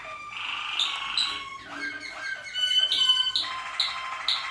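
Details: Malinois Waterslager canary recorded in 2014, singing rich, rolling song with bubbling harmonic phrases in the middle range, shifting into quick repeated clear whistled notes and ending in a buzzy rolling tour.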